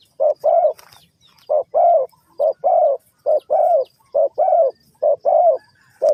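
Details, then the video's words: Spotted dove (cu gáy) from Ninh Thuận, Vietnam, recorded around bird trapping. It gives a steady run of loud, low, mellow coos, short notes paired with longer rounded ones, about a dozen in quick succession. "The Sound Of A Spotted Dove"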